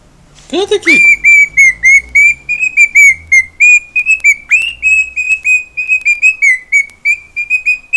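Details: Household pet cockatiel singing. After one short low note comes a long series of steady, clear whistles on nearly the same pitch, spaced about a third of a second apart, with a faint low hum underneath.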